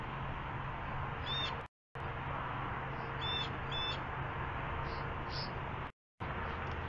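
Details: Peregrine falcon chicks at the nest at Great Spirit Bluff on an early morning in May 2017, fed by a parent. High, thin begging chirps come singly and in quick pairs over a steady broadband rumble.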